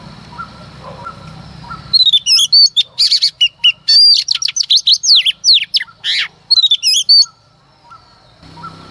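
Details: A female Oriental magpie-robin sings in the early morning, about five seconds of rich, fast song: clear whistles, sweeping slurs and sharp chattering notes, high-pitched and varied, used to provoke a male into singing. The background is otherwise quiet.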